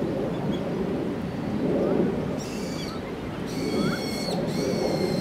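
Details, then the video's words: Common kingfisher giving thin, shrill, high whistles in three short bursts, each a rapid series of piercing notes, over a steady low rumble of background noise. "カワセミ２ Kingfisher"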